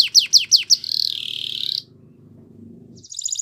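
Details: Yellow canary morning song: four sharp rising chirps, then a sustained buzzy trill wavering slightly in pitch, a short pause with low background murmur, and a faint high trill at the end.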